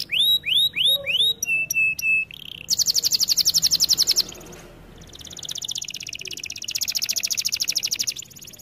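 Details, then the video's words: Canary training song with down-slurred whistles and flat piping notes, then a fast even trill that fades out and returns as a softer, more distant rolling trill. "Melodies Canary bird song | Training video"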